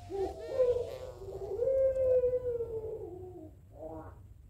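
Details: Barbary dove (puter pelung) answering a rival, giving a long drawn, slightly wavering coo that slowly falls, ending in a brief lower murmur.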